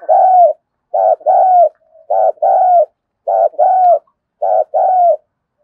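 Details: Lure spotted dove cooing to call wild doves close: a steady series of soft, hollow two-part phrases, a clipped coo followed by a longer falling one, repeated roughly every second, clean and free of background noise.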